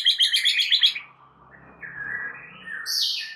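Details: White-rumped shama song used as a lure to make another shama sing its full repertoire: a fast run of bright repeated chirps, then slurred whistles and a rising high phrase.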